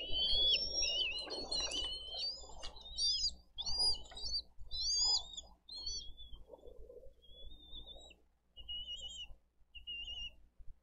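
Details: Wild bald eagles feeding eaglets with freshly brought fish at a Dade County nest on 22 April 2023. A burst of dense, overlapping high twittering chirps that thins into a few sparse, shorter whistled notes.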